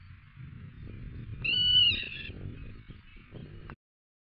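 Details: A black-tailed godwit at the Arkemheen, Netherlands, partly filmed around sunrise, gives one loud, nasal, steady-pitched half-second call trailing into a rougher note, over a low rumble of wind.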